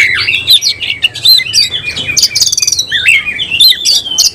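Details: Caged oriental magpie-robin singing hard with its tail spread open; loud, fast, varied song of twisting whistles, chattering buzzy notes and sharp chips packed tightly with almost no pauses.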